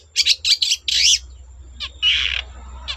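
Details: Long-tailed shrike singing to coax other shrikes into song: rapid rough chattering notes, then a long grating rasp, over a low steady hum.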